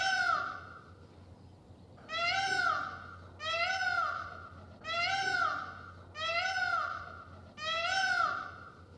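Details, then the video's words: An Indian peafowl (peacock) walking in a forest gives loud, nasal, cat-like wails, six in a row, each rising then falling, about every second and a half over a faint low hum. "Peacock sound and walk in the forest | Peacock calling"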